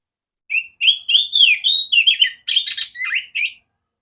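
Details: Female oriental magpie-robin song with a strong clear voice, meant for training other birds: about three seconds of varied whistles, some buzzy raspy chatter notes in the middle, closing with downslurred whistles.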